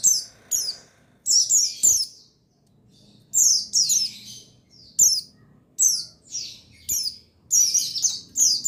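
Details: Lure recording of a male buxtoni white-eye meant to prompt reluctant birds to sing. Sharp, high descending chirps come in tight clusters, with a clear pause near the two-second mark and a soft background rumble.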